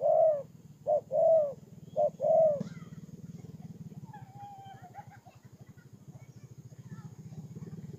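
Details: Spotted dove used as a ground decoy, Tumorong, Kon Tum, Vietnam, 23 September 2018. Three seconds of loud low coos, alternating short and long notes, then a steady engine-like drone takes over with faint chirps.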